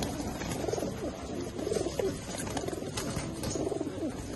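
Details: Mukki domestic pigeons in red, black, yellow and silver give low, soft coos in three short rolling bursts about a second apart over a steady background hiss and faint rustling.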